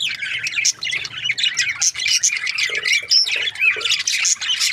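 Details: Budgerigar breeding pairs chattering: harsh, rasping chirps and tight whistled flicks tumble over one another in a steady, dense stream.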